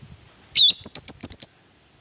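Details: Lovebird of fighting type, meant to provoke rival birds: one long shrill squawk followed by a rapid run of about six short, clipped, ticking notes, then silence.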